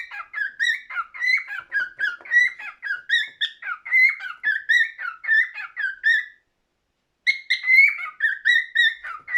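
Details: A cockatiel sings inside a room, producing rapid whistled warbles in rolling bursts, then falling silent for about a second before resuming with higher, sharper whistles.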